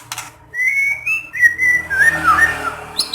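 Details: White-rumped shama song intended to get other shamas singing: a sustained clear whistle held and stepped upward, then wavering, slurred notes, ending with a sharp high chirp.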